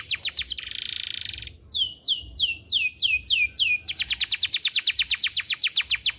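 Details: Very active canary singing, used as a tutor for young birds and to stimulate females to breed: fast sweeping notes, a buzzy trill, slower descending whistles repeated about twice per second, then a long rapid trill.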